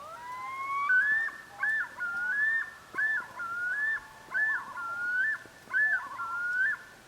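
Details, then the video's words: A Common Loon on a lake in Maine gives an early-season yodel: rising wailing notes swell into loud, rolling two-part phrases every second and a half, the call males use to announce identity and aggression, warning others from their territory. "I do speak loon, and a lot of this early season calling is the yodel. That's males identifying who they are"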